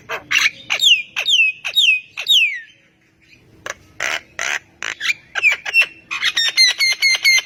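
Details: An energetic Javan myna singing so that quieter mynas join in: a series of down-slurred whistles, a short silence, harsh rasping bursts, then a rapid stream of clipped whistled notes.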